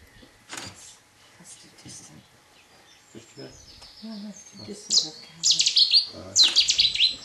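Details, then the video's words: Cetti's warbler at RSPB Minsmere, seen from the bittern hide on 3 June 2011, bursting into song: sudden loud volleys of clipped, emphatic notes, repeated three times near the end after a quieter stretch with soft distant chirps. "Cetti's Walbler singing at RSPB Minsmere"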